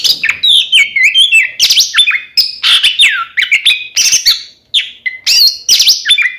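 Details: Twin Oriental magpie-robins singing to draw rival birds into answering: dense, energetic phrases of ringing whistles, downward swoops and rasping notes, pausing briefly before more bright repeated figures.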